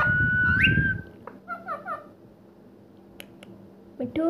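A rose-ringed parakeet talks in a thin, nasal voice, with a sharp rising whistle at the start, a few short word-like phrases, and a closing squawk. Indoor rumble and hum underneath.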